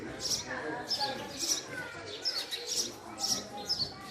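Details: Male house sparrow giving steady, sharp chirps about twice a second, high-pitched notes over a soft low background murmur.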